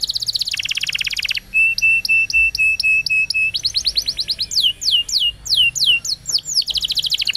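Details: Canary song used for training young canaries, a rapid high-pitched series of repeated trills: buzzy rattles, a steady run of clear whistled notes, then fast descending sweeps, all in quick succession.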